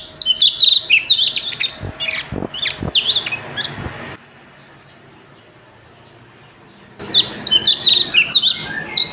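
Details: Sooty-headed bulbul, recorded singing very actively as a training tape for other songbirds: bright, chirpy, slurred high notes in quick bursts. There is a silent pause midway, then the busy phrases resume.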